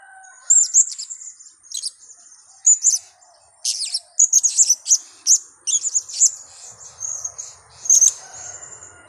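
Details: Blue-crowned hanging parrot lure call used for trapping: rapid series of very high, thin, sharp chirps and short trills in bursts, some sustained high twittering between them.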